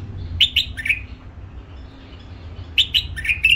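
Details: Captive-bred hybrid bulbul gives two short bursts of three clear, quick whistled notes, the last slurring down, about two seconds apart over a low hum.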